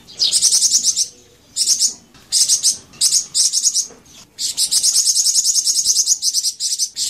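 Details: Flamboyan bird song played as a lure for kept birds: very high, rapid buzzy trills in bursts of about half a second, then a long unbroken chattering trill from about 4.4 seconds to the end.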